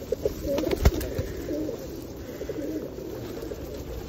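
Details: A crowd of feral pigeons at Osu Kannon being fed on a rainy day in 2021 gives soft, low, rolling coos that blend together, broken by a loud tap near the start over a hiss of rain.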